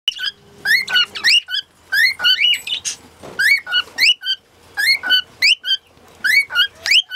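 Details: Lutino cockatiel singing: bursts of clear whistled notes, each sliding up or down, strung into quick phrases separated by short pauses, with a faint low hum underneath.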